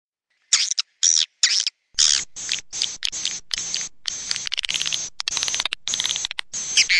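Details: Swiftlet lure sound played outside a swiftlet house: quick bursts of dense, buzzy, high chirping, several short blasts then longer rattling trains repeated with brief gaps.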